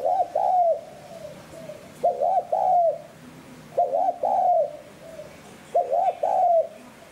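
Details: Spotted dove giving four steady low phrases in the 'hạp bổi sát bổi' style for decoy training. Each phrase is a rapid paired coo followed by a drawn croo, repeated about every two seconds.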